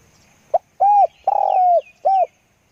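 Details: Spotted dove, recorded for decoy-luring of wild doves: one phrase of low mellow coos, a short clipped note, a rounded coo, a long burry drawn-out coo, then a final rounded coo, in a quiet setting.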